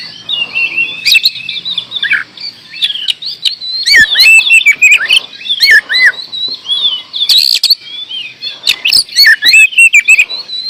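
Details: Oriental magpie-robin in sustained song of rapid, varied whistled slurs and chattering notes, pauses between phrases, then a dense closing burst.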